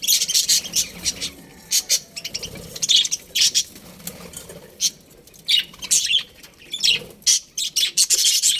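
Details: Chirping from a budgerigar colony: many high, harsh chirps and squawks in quick bursts, overlapping into busy chatter with short pauses.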